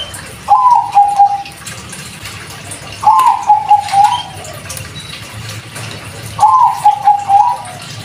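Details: Bangkok-type zebra dove being stirred into breeding mood: three soft cooing phrases about three seconds apart, each a short rising note followed by a run of low rolling coos, over a steady hissing background.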